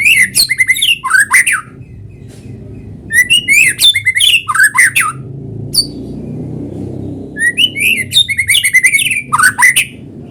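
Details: White-rumped shama, a vigorous singer, in a natural recording used as a lure to make other shamas sing: bursts of bright whistled phrases mixed with harsh buzzy notes, separated by short pauses, over a low steady background hum.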